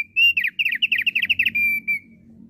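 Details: Thick-billed heleia singing actively, used to lure wild flocks: a sustained whistle, then about a dozen quick, slurred, bubbling whistled notes in a tight run, ending on a long steady whistle over a soft low hum.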